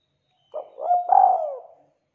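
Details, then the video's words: Spotted dove used as a lure to draw calls from other doves; a single phrase of a brief lead note, a level coo and a long drawn coo sliding gently downward, with no other noise. "Suara Tekukur Gacor Buat Pancingan"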